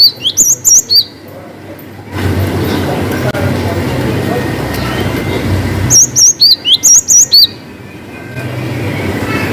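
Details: Two short bursts of cinereous tit song, the long 'wucit' variation: quick, high whistled notes in tight clusters, separated by several seconds of steady hiss and low rumble.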